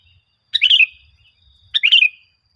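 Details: Lure song of the sooty-headed bulbul for training caged birds to sing: two short bubbly phrases about 1.2 seconds apart, each a quick burst of bright chirped notes, over a faint thin high tone.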